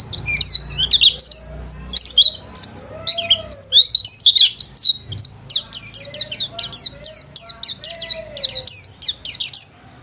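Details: Home-kept white-eye singing vigorously: rapid, very high chirps and sweeping whistled notes in dense bursts, with lower drawn-out whistles threaded between them.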